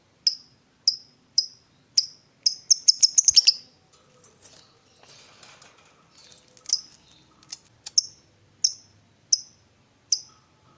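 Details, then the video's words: Lovebird chirping in the morning to stimulate other lovebirds to trill: sharp high chirps spaced about every half second, a short fast burst, a pause with faint rustling and clicks, then the spaced chirps resume. "SUARA PEMACU Ini Bikin Love Bird Ngeroll & Ngekek Ganas!"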